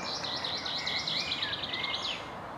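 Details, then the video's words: Young great spotted woodpecker begging on 18 June 2017: a rapid, even chatter of high, sharp notes for about two seconds, with softer whistles from other birds beneath. "Buntspecht Junges"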